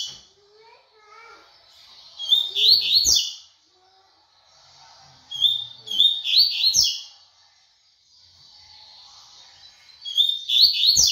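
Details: Double-collared seedeater delivering its rapid tui tui song three times, each phrase a tight, shrill burst of high chirps and slurs about a second long, repeated every three to four seconds, with faint lower murmurs between.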